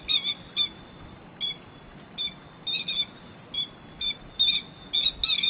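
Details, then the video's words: Grey-headed lapwing call for luring birds into traps: harsh, strident notes in irregular bursts, some doubled or tripled, separated by short pauses, with a thin high steady tone running through parts. "Tiếng chim te te mỏ vàng"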